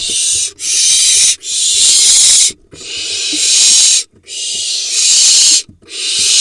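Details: Barn owl family in a monitored nest box, Hula Valley, Israel, 18.7.21, while the father brings a vole. Loud rasping hisses, each lasting one to one and a half seconds, repeat with short breaks between them.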